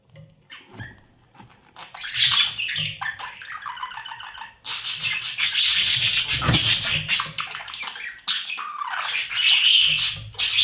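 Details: Budgerigar chicks inside a breeding nest box being fed by their parents, a daily routine; harsh, buzzy high chatter in bursts with pauses, some scratchy rustling between calls.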